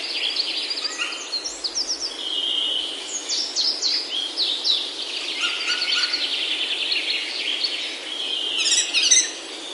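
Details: Several birds sing together in a Himalayan oak forest near home, Himachal, India: quick chirp series, rising and falling notes and a steady twitter, growing louder with a bright high burst near the close.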